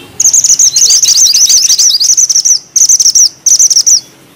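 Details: Energetic bushchat song with dense rolling phrases: a long run of quick, high, twittering notes, then two shorter bursts after brief pauses.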